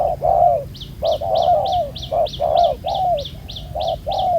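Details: Spotted dove trapped with a ground decoy, a wild bird with a black-spotted collar praised for its cooing; rapid low coos alongside a steady, higher repeated chirp from another bird.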